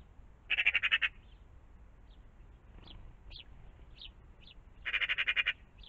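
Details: Morning magpie by a pond: a rasping, machine-gun chatter of quick notes, a pause filled with thin rising chirps from another bird, then a second matching harsh rattle.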